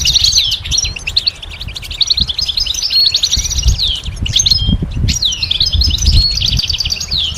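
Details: Goldfinch song meant to stimulate songbirds to sing: long, rapid twittering phrases with downward-sliding notes and tinkling trills, pausing briefly twice, with low knocking and rumble beneath.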